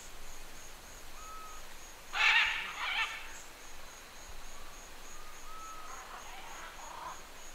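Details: At Tambopata Research Center, a single green-winged macaw gives harsh, raucous screeching flight calls: a loud burst, then a fainter one, over a steady high insect drone and soft whistles from another bird.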